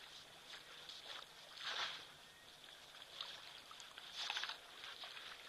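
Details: Meves's long-tailed starlings, the predominant call at a hot waterhole with elephants on 17 September 2023, give two harsh, chattering bursts a few seconds apart over a steady high, thin hiss of insects.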